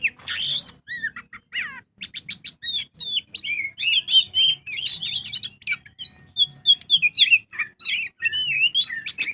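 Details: Oriental magpie-robin in full ngobra song, used as a lure to get birds singing: a harsh scratchy burst opens, then rapid clicking notes and clear, looping whistles pour out almost without a break for over nine seconds.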